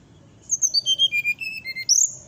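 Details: Brown-chested jungle flycatcher giving its 'nyuling' fluting song, said to agitate nearby birds. Clear whistles tumble downward in a rapid series and finish on a sharp rising high note over a soft murmur of background noise.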